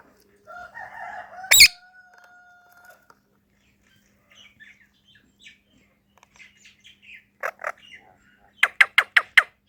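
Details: An Indian ringneck parakeet (Psittacula krameri) talking to itself in a mirror gives a held, slightly wavering whistle, a sharp click, then soft muttered chatter and a burst of five quick, harsh squawks.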